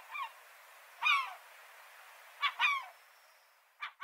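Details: Seagulls heard at some distance: a few scattered, harmonic mewing cries separated by quiet gaps.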